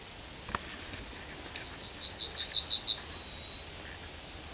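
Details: Yellowhammer at the Kabaty forest edge: after a few faint clicks, a string of rapid, high, repeated notes swells in loudness, then a buzzy note and a long, high, gently descending closing note.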